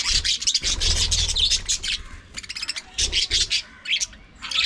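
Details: Several pet budgerigars during their daily routine of play, squabbles and preening: dense, rapid scratchy chirps and warbles in quick bursts, broken by short pauses, with low thumps underneath.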